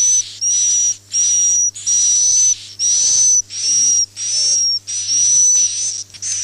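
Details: Swiftlet roosting call used to attract birds to nest houses. Long, evenly loud hissing buzzes with a faint high whistle follow one another after brief pauses, over a constant low hum.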